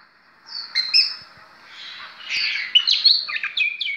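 Oriental magpie-robin singing a rich, varied run of clear whistles and scratchy trills, with quick pitch jumps and a short pause before a busier second half.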